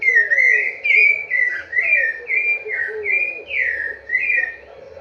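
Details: Rufous-bellied thrush giving a rapid run of rich whistled notes, some rising and some falling, strung closely together in a steady flowing song with a quiet low background hum.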